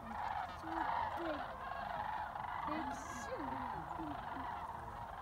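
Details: Many sandhill cranes returning to Jasper Pulaski from feeding in nearby fields, calling over one another: overlapping rolling, trumpeting notes that rise and fall, forming a dense, continuous chorus.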